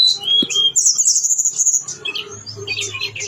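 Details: Blue-winged leafbird (tledekan gunung) in full gacor song with isian: a whistled note, then a rapid, high, rippling trill held for about a second, followed by scattered twittering chirps over a low background hum.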